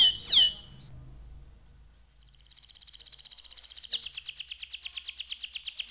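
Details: Young canary: one sharp high whistled note, a pause of near silence, then a soft, fast, even trill that starts around midway and grows louder and buzzier toward the end.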